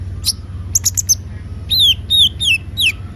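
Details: Konin, or Van Hasselt's sunbird, singing briskly: several quick high chirps, then four loud, thin whistles that slide steeply downward, each lasting about a fifth of a second, over a low hum.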